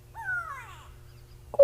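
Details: A grey go-away-bird, named for its 'go away' call, shouts an alarm from a tree near a safari vehicle on an afternoon drive: one drawn-out, nasal, falling 'gwaay', then a short loud burst, over a steady low engine rumble.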